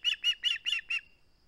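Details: Five loud, harsh, whistled yelps in about one second from an osprey at its nest on 21 August 2020, unwilling to give up its flounder, recorded by a live nest cam.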